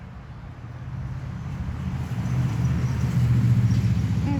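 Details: Low engine rumble from a nearby vehicle, growing louder, with faint voices; no crowing or other animal calls.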